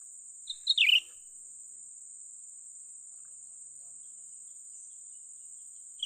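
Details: Young cucak ranting bulbul heard during bird trapping: one quick burst of three or four sharp, high chirps closing in a brighter warbled note, then quiet. A steady high whine runs throughout.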